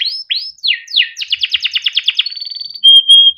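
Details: Yellow Timbrado canary singing: a few broad swooping notes, a rapid run of repeated short notes, then level pure whistles.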